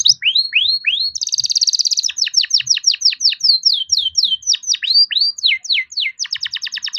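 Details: Young domestic canary, captive-bred, in full rolling song meant to prompt lazy canaries to sing: rapid series of rising and falling whistled sweeps, a dense buzzy trill, then fast repeated notes, loud and continuous.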